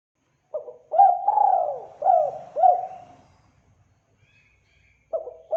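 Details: Spotted dove (tekukur) lure call, clean and loud: a low rising-and-falling coo, then a long coo and three quick clipped coo notes, a quiet gap of about two seconds, then the cooing phrase starts again.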